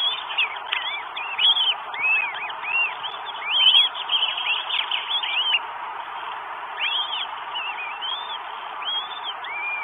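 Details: Northern goshawk arriving with food, Estonia, 12 May 2022: clustered arched whistles early on, thinning to scattered single calls after a lull, over a steady hiss.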